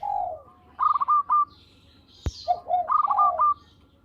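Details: Zebra dove of a local strain in full, sweet song used to lure birds: a low, falling coo, then a run of rapid, clipped, higher notes, then more soft coos and a second quick staccato run, with one sharp click midway.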